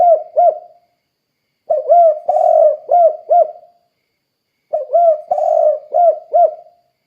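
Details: Spotted dove calling repeatedly to lure other doves into song: three series of soft, hollow coos, each with a sustained middle note among clipped ones, recurring about every three seconds against silence.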